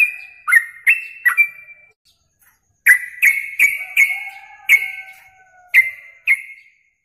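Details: Yellow-vented bulbul song from a contest training recording. A few warbled slurred notes, a short pause, then a brisk series of bright chirps with a faint lower sustained tone running beneath part of the series.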